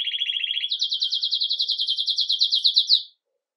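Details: Belgian canary, red mosaic agate, delivering 'Campainha' bell-style song at the start of its day, recorded live: a lower rolled trill stepping abruptly up into a long, evenly pulsed high roll that stops cleanly.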